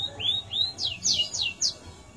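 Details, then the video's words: Caged canary of YS FOI or F1 YS type in lively song: rising whistled slurs followed by sharp downward-sweeping high notes, each about a quarter second apart. "kenari gacor YS foi VS F1 ys mantapp"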